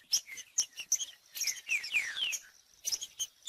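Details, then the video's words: Green-winged saltator (trinca-ferro) singing, meant to prompt a non-singing bird. Quick high chips lead into two or three clear downslurred whistles, then more scattered chips. "TRINCA-FERRO CANTANDO /ESQUENTAR TRINCA FERRO FRIO"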